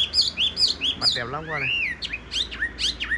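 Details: Yellow-billed, yellow-legged tame Chinese hwamei in a cage gives loud looping whistles and fluty slurs, interrupted midway by a brief burst of human laughter.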